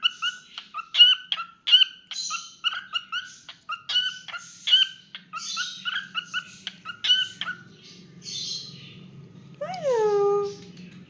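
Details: Pet cockatiel chirps quickly for several seconds, goes quiet, then ends with one loud, clear whistle that slides downward. A low hum runs through the pause.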